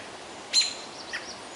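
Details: An American robin, one of several robins harassing a juvenile Great Horned Owl in Minnesota's boreal forest around a hot noon, gives one sharp, high alarm note, then a few fainter, softer chirps over a steady hiss.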